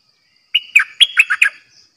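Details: Decoy bulbul from a cage sings a single lively phrase of five or six whistled notes in quick succession, beginning with a drawn-out clear whistle.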